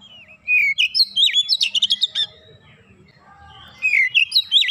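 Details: Oriental magpie-robin in the rapid 'nembak rapat' song style, a burst of swooping whistles running into a quick stutter of sharp clicking notes, a quieter pause, then another run of bright slurred whistles.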